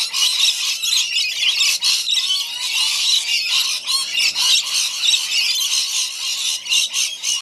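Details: Backyard feeding of rainbow lorikeets: many birds squawking at once, rapid rasping screeches and sharp shrieks in a busy, irregular stream about four per second.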